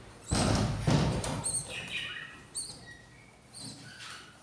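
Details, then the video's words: Hungry budgerigar chicks, three newly hatched from eight eggs, on their fourth day in a breeding setup, giving thin, high squeaky cheeps several times in quick succession over low thumping and rustling handling noise at the start. "beautiful hungry chiks"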